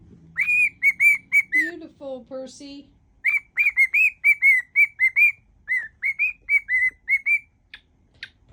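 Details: Pet cockatiel whistling a medley of songs, rapid pure notes with a lower warbled phrase midway, while a woman talks softly to the bird.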